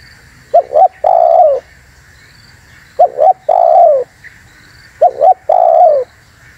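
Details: Spotted dove voice used to lure wild doves: a double coo then a long descending coo, repeated three times roughly every two seconds, with faint high chirping behind.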